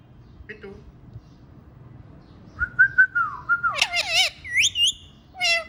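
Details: Ringneck parrot kept as a pet, dancing and talking: a steady mid-pitched whistle slides downward into rich, wavering warbled squawks and a final buzzy note, over faint room noise.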